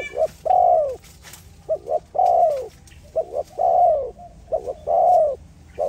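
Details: A dove coos in a steady phrase used as a call to lure another dove: a short note, then a long, mellow, slightly falling coo, repeated roughly every one and a half seconds.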